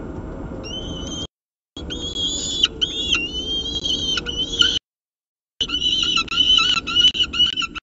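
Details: Peregrine falcon at the CSU Orange nest, morning of 2 November 2018, during a second meal; loud, harsh, wavering high calls with strong overtones in rapid bursts, broken by brief silent gaps.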